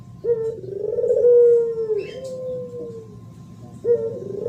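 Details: Spotted dove singing 'thổ pháp' coos used to stir up males and females: a long smooth coo held for over two seconds and slowly falling, then a fresh coo beginning.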